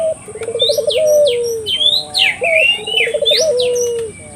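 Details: Barbary dove calling eagerly, played to prompt local doves to join in: two low trilled coos with long drawn endings, while other small birds chirp loudly and sharply above, and a faint steady whine runs throughout.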